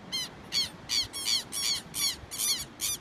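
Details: A pair of Southern lapwings chasing off an intruding bird: loud, harsh, repeated squawking calls, about seven strident notes in three seconds, each with stacked downslurred harmonics, over faint background noise.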